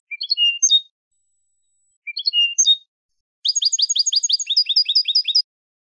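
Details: Song of a Spanish goldfinch on a tutor recording for young birds. Two rising phrases that end in whistles are followed by a fast, rhythmic, buzzy twittering trill lasting about two seconds.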